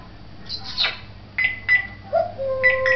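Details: A talking African grey parrot kept in a Beit Hanina pet shop, Palestine, makes a breathy high sweep, then short sharp whistles and a low flat whistle held near the end, over faint hum.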